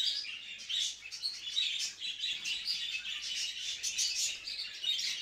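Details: Budgerigar mating calls: steady, busy warbling with overlapping chirps, clicks and squeaky notes throughout.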